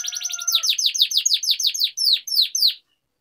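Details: Canary singing to prompt other canaries to sing: a fast roll of sharp downward-sweeping high notes that slows into spaced, separate chips before stopping.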